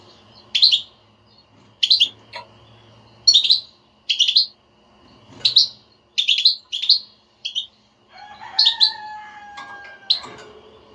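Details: European goldfinch babbling twitter (بتبتة) played so a silent goldfinch starts singing: about ten clipped groups of high, tinkling chirps in steady succession, with a sustained whistled tone near the end.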